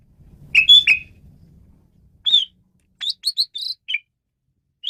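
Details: Asian pied starling song on a songbird training track: two harsh chirps over a low murmur, a slurred whistle, then a run of short rising whistled notes and a lower falling note, with a final faint chirp.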